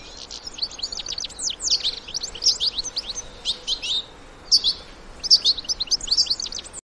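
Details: In the wild, European goldfinch parents and young twitter and sing in short clustered phrases of bright, high chirps, each cluster about a second long with brief quieter breaks between.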